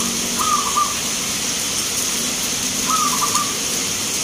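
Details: Zebra dove, a local bird entered in a song contest at Grabag, Magelang, Indonesia: two soft trilled coos about two and a half seconds apart, each a quick note run into a short rattle, with low hum and hiss behind.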